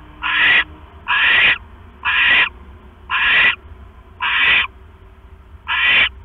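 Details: Owl pair at the nest at night, October 5, 2015: the male brings a rat and the egg-sitting female eats it quickly. Six raspy, screechy bursts, fairly evenly repeated about once a second.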